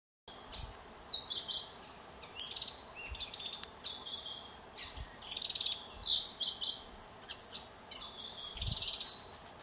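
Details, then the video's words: A Narcissus flycatcher gives high, bright chirping phrases every second or so, some trilled and some clipped, over a faint steady hiss with a few soft low thumps. "キビタキ Narcissus Flycatcher"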